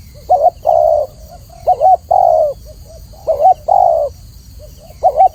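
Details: Spotted dove with a clear voice in a training recording. Deep soft cooing comes as a brief rolling double note followed by a long smooth coo, given three times with faint short notes between.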